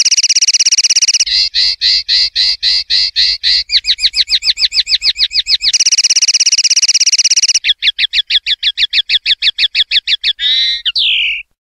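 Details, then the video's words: Common linnet singing a clean-style song recorded for silvestrismo: rapid series of dry rattling trills at changing speeds, a run of fast clicking pulses, then a final slurred falling note, with no background sounds. "NUEVO CD PARDILLO LIMPIO 2025/2026"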